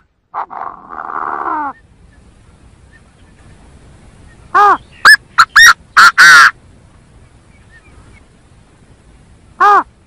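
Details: Lure recording of a Chinese francolin for trapping: a rasping buzzy burst opens, then a loud phrase of six sharp metallic notes rising to a drawn-out final note, followed by one lone note after a pause.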